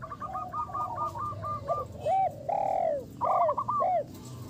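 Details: Local zebra dove, a frequent singer kept as a champion lure bird with a big voice: a fast run of short clipped coos, then loud arched, drawn-out cooing notes with brief pauses between them.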